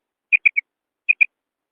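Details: Female quail calling: three short, sharp high notes in quick succession, then a pause and a quicker pair of the same clipped notes, with silence around them.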